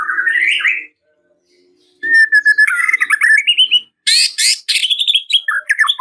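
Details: White-rumped shama song said to call out and provoke a rival, full of varied phrases: a rising whistled warble, a pause, then rapid chattering notes and bright up-and-down whistles climbing toward the end.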